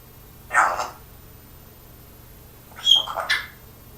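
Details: Pet parrot copying its owner's cough: two rough, breathy cough bursts about two seconds apart, the second broken into several quick pulses with a brief whistled tone, over steady low room hum.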